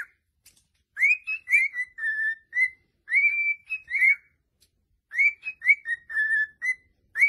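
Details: Cockatiels singing happily: clear whistled phrases of rising then gently falling notes, grouped in three runs of several whistles each, with brief pauses between phrases.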